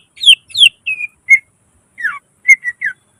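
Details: Cucak ijo, the greater green leafbird, singing gacor with nembak and isian phrases for training other birds: a few loud descending slurred whistles, then sparse sharp chirps with short pauses between them.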